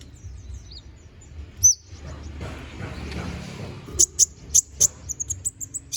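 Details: Konin bird, recorded as training song for magpie-robins: a few thin high notes, a soft hissy pause, then a fast run of piercing high chirps and twittering notes.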